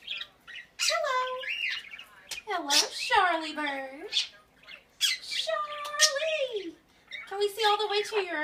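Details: A female pet Quaker (monk) parakeet gives harsh, raspy squawks in short bursts, some bending downward in pitch.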